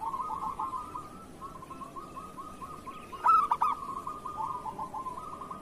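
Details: Local zebra dove singing in the kerot style, used as a master recording to coax lazy or moulting doves into song: a long run of soft, rapid, rolling coos, broken once by a sudden loud, stuttering coo phrase.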